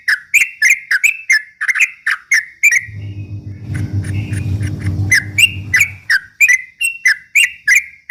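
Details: Straw-headed bulbul song used as a lure to provoke rival birds: bright, clipped whistled notes repeated rapidly, about three per second, broken midway by a low rumbling hum for a few seconds.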